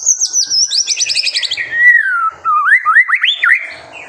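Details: White-rumped shama singing, recorded as a master to spur young birds: a very high rapid trill sliding downward, a long descending whistle, then several rising whistled notes.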